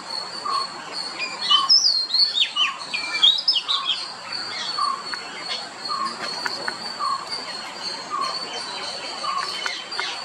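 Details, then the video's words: Oriental magpie-robin singing: bright whistled notes and slurred phrases rise and fall in short bursts. Behind them run a steady high insect-like hum and a soft note repeated about every half second. "Beautiful Song of Oriental Magpie Robin"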